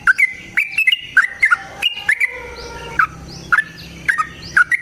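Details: Yellow-vented bulbul singing to provoke another bulbul into song: bright, liquid whistled notes with quick downward flicks and short rising slurs, delivered in clustered phrases with brief pauses between them.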